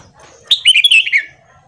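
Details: Single phrase of Red-whiskered bulbul morning song, played for training: sharp onset, then a fast run of clear, liquid whistles stepping down in pitch, lasting under a second.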